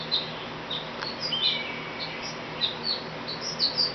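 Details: Very vocal sparrow visiting a back porch, giving short high chirps and thin tweets scattered irregularly through the moment, some slurred, over a soft steady background hiss.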